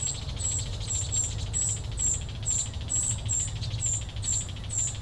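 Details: Juvenile common cuckoo fed by a vinous-throated parrotbill host; a steady series of high, thin, sibilant notes, about two per second, over a low hum.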